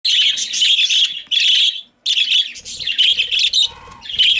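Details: Female budgerigars, pet birds, calling very loudly on seeing a young male: dense, high, scratchy chirping and warbling in continuous bursts, with a brief pause midway and faint low knocks underneath.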